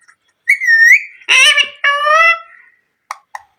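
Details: Pet parrot indoors giving a rising whistle, then two harmonic speech-like phrases, followed by a few soft clicks.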